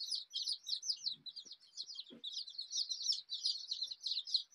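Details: Rainbow-coloured baby chickens of a desi type give a continuous mass of shrill, quick, falling peeps. A few soft low thumps break in near the middle.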